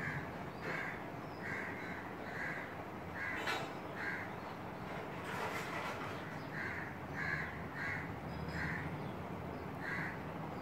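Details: A female Asian koel (Eudynamys scolopaceus), perched close by on a curry-leaf tree branch next to a window, gives harsh, grating notes in short runs, about two per second, over steady hiss with brief rustling bursts.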